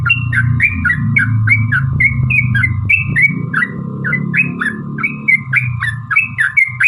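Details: Steady stream of short, rising-then-falling bubbly notes from a sooty-headed bulbul, intended to provoke other birds into singing, over heavy low rumbling background noise and a constant thin whine.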